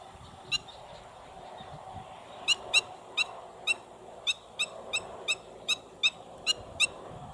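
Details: Calling black-winged stilt at Pont de Gau giving about a dozen clipped, shrill yelps, loosely spaced about every third to half second after an opening single note, with steady low rumbling background noise.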